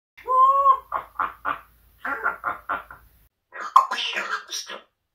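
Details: A talking pet African grey parrot, evidently male, gives a clear two-toned whistle, then mumbles rapid, indistinct speech-like syllables at home; a man's voice is also heard speaking.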